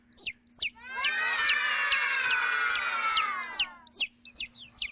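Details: Chick calls: loud high peeping notes that rise then drop, repeated about twice a second, overlaid mid-clip by a long smooth harmonic tone.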